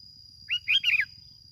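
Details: Plain-backed sparrow from Bình Thuận, Vietnam, its song used as a lure: a brief phrase of three quick chirpy notes, sliding down in pitch, over a low rumbling hum and a steady high electronic tone.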